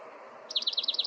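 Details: Spotted Towhee at Wind Canyon, south unit of Theodore Roosevelt National Park, giving a quick, high trill of about ten rapid, slightly buzzy notes in just over half a second, over a faint background hum.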